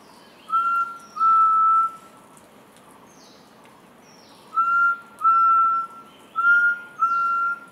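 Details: Rufous-throated Partridge giving clear, mournful whistles in pairs, each a short note then a longer held one, repeated every few seconds, crescendoing at the end; faint high bird calls behind.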